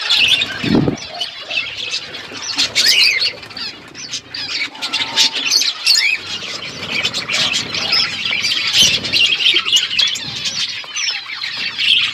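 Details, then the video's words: Feeding parrots recorded on February 25, 2024, giving a continuous busy chatter of high squeaky chirps and short squawks from several birds, rising and falling in loudness throughout. "Beautiful Parrot eating food birds chirping sounds"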